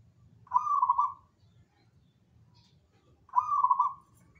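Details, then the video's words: Zebra dove giving two rolling, bubbling coo phrases of rapid soft pulses, each about a second long and nearly three seconds apart, over a steady low rumbling background. "KICAU BURUNG PERKUTUT"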